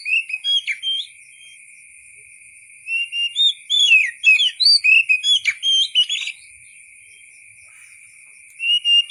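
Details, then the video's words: Wild-style white-rumped shama song meant for tutoring songbirds: bursts of whistled, warbling phrases, a quick run of varied notes in the middle after a quiet stretch, with a steady high hiss throughout. "KICAU BURUNG KACER SUARA ASLI KAYAK DI ALAM LIAR"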